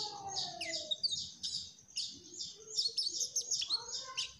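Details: Mugimaki flycatcher delivering lively trotol song: quick bursts of high, rattling twitter separated by tiny gaps, with a faint lower whistle beneath at the start.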